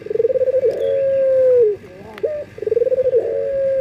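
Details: Breeding male collared dove calling for females, local Indonesian bird: a fast pulsed trill that flattens into a long even coo, a brief upturned note, then another pulsing trill.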